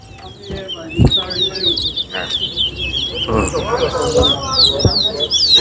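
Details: Competing towa towa (chestnut-bellied seed finch) at a bird race held at Alligator Park. Steady, fast, high chattering song notes run through the whole stretch, over background voices and knocks.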